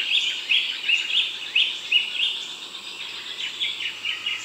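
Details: Eastern rosella, a medium-sized parrot, in the Darling Downs region of Queensland above 500 m: bright, high chirping notes in quick irregular bursts, several overlapping, over a steady high hiss of background noise.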